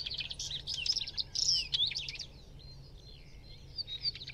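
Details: Northern wheatear delivering a continuous rapid warble of scratchy, crackling notes mixed with thin squeaky whistles. It is loudest in the first half and softens toward the end, over a steady low background rumble.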